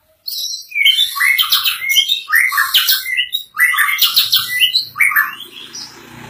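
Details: White-rumped shama singing vigorously. It delivers loud, varied phrases of whistles, rapid chips and rich warbling notes in quick bursts about once a second, with short pauses between phrases.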